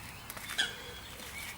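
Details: A Eurasian coot on a local pond with ducks and swans gives a single short, sharp, high call partway through, over a faint outdoor hiss.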